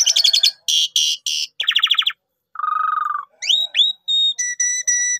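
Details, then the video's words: Lure recording of a Javan pied starling in full gacor mompa song: grating rattles, a low burred trill, then clear upswept whistles and steady high piping notes. "Pancingan Jitu Jalak Suren full Gacor Mompa Istimewa"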